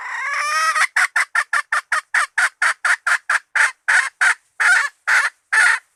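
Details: Hen call used as bait: a long harsh opening note, then a rapid run of about twenty clipped, nasal clucks that slow and spread out toward the end.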